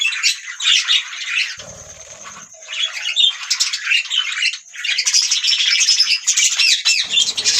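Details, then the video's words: Several budgerigar parrots chirping: dense, overlapping high-pitched chatter of warbles, squeaks and trills that runs almost without pause, with one short quieter stretch near the middle. "beautiful Budgie parrots sound | beautiful Birds chirping sound"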